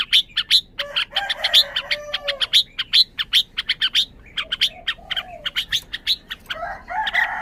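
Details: Red-whiskered bulbul opening with quick sharp chirps and a low gurgling warble, then scattered notes with softer low phrases, ending in a fuller, rougher chatter.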